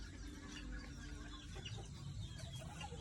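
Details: Red junglefowl flock in a backyard: a few soft clucks and a sustained low note against a dense rumbling background.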